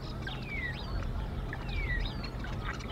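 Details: Wild bald eagle at the Decorah nest: an adult female, early in the morning, facing a male beak to beak in a dominance display. Two high whistled sweeps slide down and then rise again, over steady low rumble.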